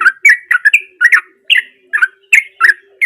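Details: Wild-sounding sooty-headed bulbul song used as a lure for silent birds: quick, cheerful slurred whistles and chirps, about three per second, with a faint low hum underneath.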